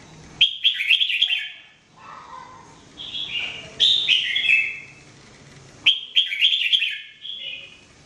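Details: Red-whiskered bulbul (jambul) daily training song: rapid whistled phrases with sharp onsets and downward slurs, a lower mellow note, repeated bursts about every two seconds.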